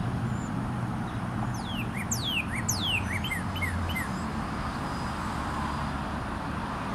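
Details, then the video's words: Male red cardinal singing on 22 February 2013: loud downslurred whistles descending steeply, repeated about every half second, then shorter slurred notes, over steady low traffic-like rumble. "Red Cardinal singing his little heart out"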